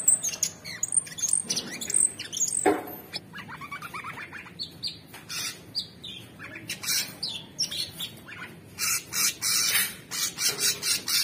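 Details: Orange-bellied leafbird, a kept cage bird, singing nonstop: a busy jumble of high chirps, short whistled slurs and harsh broadband rasping bursts, tumbling quickly over several seconds with uneven spacing.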